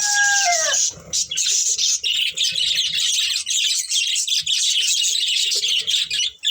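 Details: Breeding pair of budgerigars; a descending harmonic whistle gives way to continuous, busy, high-pitched twittering chatter with soft low clicks beneath.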